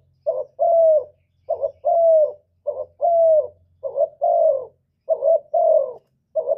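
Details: Spotted dove cooing, a recording used as a lure for trapping and to stir kept doves: low, mellow phrases, each a short double-pulsed note then a longer slightly falling coo, repeated about every 1.3 seconds, five phrases, quiet background.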